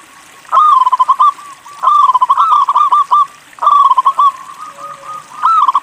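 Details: Local zebra dove singing often, used to draw other doves into calling: four rolling cooing phrases in quick succession, each a drawn-out note breaking into a rapid pulsed trill, evenly spaced about every two seconds.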